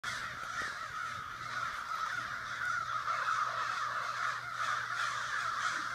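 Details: Many crows gather in a suburban backyard in Sudbury on a morning, cawing loudly at once; dense, overlapping harsh caws form a continuous racket with a faint steady low hum beneath.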